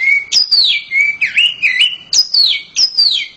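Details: Loud song of a domestic oriental magpie-robin: a steady whistle followed by a series of sharp, high notes that drop downward, with twisting mid-pitched warbles between them. The notes repeat about every half second.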